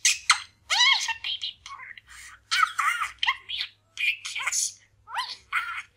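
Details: Chatty male pet parakeet practising new sayings indoors, loud, clear speech-like syllables with rising and falling inflections, delivered in quick bursts separated by short silences, low hum underneath.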